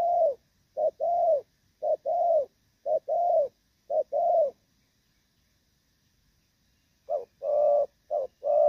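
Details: Moulting spotted dove (Thổ Pha type), 3/6/2024, in steady rước and gù cooing. Five short-then-long coo pairs come in a quick run, then a silent gap of about two seconds, then the pattern resumes.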